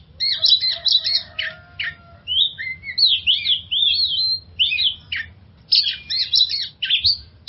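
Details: Oriental magpie-robin song played as a lure to coax stressed magpie-robins into singing: rich, varied high whistled phrases with fast chattering runs and sliding rising-and-falling notes, delivered in bursts separated by short pauses, over a faint low hum.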